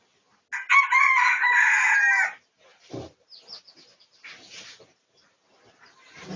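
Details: Red junglefowl recorded for research on 18 August 2023 gives one loud, harsh crow of about two seconds, followed by quieter clucks and scattered soft rustling.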